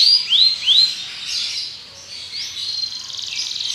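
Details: Belgian canary singing: three quick rising-and-falling whistled notes, then softer, hissing, buzzy trilled passages at high pitch.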